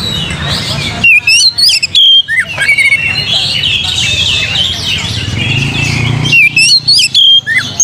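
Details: Oriental magpie-robin singing as a lure to draw out other singers: sharp, sweet whistled phrases in short choppy bursts at the start and end, with a dense background of twittering birds in between.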